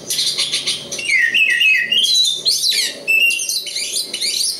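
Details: Oriental magpie-robin of the local East Java type singing a dense, continuous run of rich whistled phrases, quick slurred sweeps, trills and scratchy notes, with high bright notes throughout and a faint low hum beneath.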